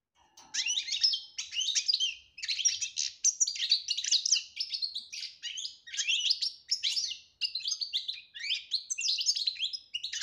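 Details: Goldfinch singing betbta-style song with tasfia: continuous bursts of bright, tinkling twitters and buzzy trills in short phrases about a second apart, nearly unbroken for ten seconds.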